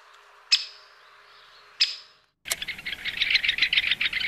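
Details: Great spotted woodpecker: two sharp, clicky single notes about a second apart, then a dense, fast, scratchy chattering series that continues to the end.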